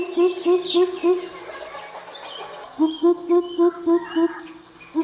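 Greater coucal giving deep, hollow booming notes in quick runs, about three or four per second, over a steady high insect drone.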